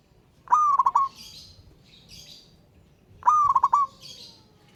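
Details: A local wild zebra dove calls a rival in the ngayer style. It gives two matching phrases, a sustained coo followed by three fast stuttered notes, and soft high chirping is heard between them.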